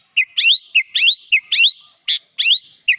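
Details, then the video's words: Kutilang, the sooty-headed bulbul, singing gacor full isian, its song filled with other birds' phrases. A brisk, repeated pair of notes, a short chip then a longer rising whistled slur, comes about twice a second throughout. "SUARA BURUNG KUTILANG GACOR FULL ISIAN"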